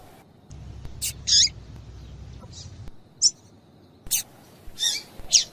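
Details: Female double-collared seedeater calling, used to stir males into singing: short high chirps and squeaky notes in scattered bursts, some paired, with quiet gaps and a low hum in the background.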